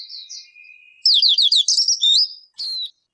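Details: Bird sound: a soft thin whistle first, then a clear rapid run of falling whistled notes, finished by one loud sharp click.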